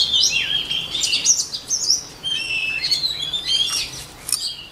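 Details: White-rumped shama song for shama voice training, slightly distant: a flowing, varied warble of whistled slurs and short trills with brief gaps, over a light noisy background.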